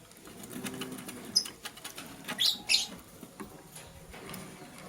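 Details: Lovebirds at morning feeding time, a blue bird scrambling for vegetables while a green one chirps; a few piercing, scratchy chirps cluster midway amid rustling, light tapping and wing-like fluttering.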